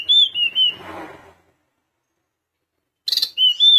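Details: Sunda minivet song used to provoke rivals: short clear whistled phrases in a high register, a wavering rising-and-falling whistle, a gap of silence, then a buzzy burst and more high whistles.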